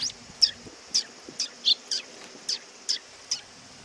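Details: Sparrows coming to be fed at a Tenmangu shrine, 18 August 2020: short, sharp high chirps repeated about every half second, eight in under four seconds, over a steady high-pitched drone in the background.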